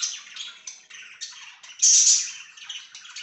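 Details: Pet budgies on 24 September 2024 chatter in a dense, unbroken scratchy warble. One sharp, loud squawking chirp stands out near the middle.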